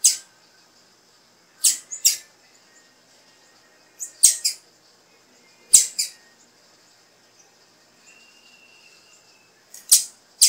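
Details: Calling female blue-black grassquit, a call meant to spur the male into song; paired high, dry chip notes spaced about two seconds apart, with a faint thin whistle in the background.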